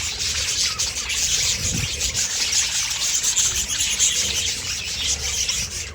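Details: Many budgerigars in an aviary colony chatter nonstop, a dense, loud wash of high chirps and warbles.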